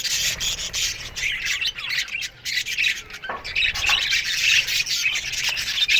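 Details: Morning sounds of a budgerigar colony in an aviary, many birds squawking and twittering in a continuous harsh chatter with brief lulls.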